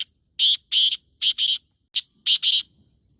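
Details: Male black francolin repeating its breeding call, 14 May 2024 at 5:15, two grating phrases of paired rasping syllables, separated by a short single note, about one phrase per second.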